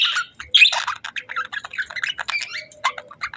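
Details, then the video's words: A budgie gives rapid clicking chirps and short whistled notes in a quick, uneven stream, fairly quiet with gaps between bursts. "Sweet Budgie Chirping Sounds"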